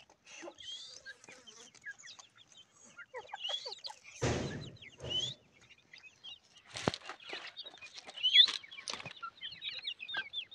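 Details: Grey francolin chicks giving a steady chorus of high, thin peeps and short rising chirps, broken by two sudden loud rustling or knocking bursts partway through.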